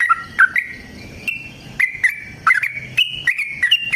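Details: Yellow-vented bulbul in extended fighting song, used to make other bulbuls sing: scattered clear whistles with sharp clicks, sparse at first, then a tighter burst of rising, chirpy notes.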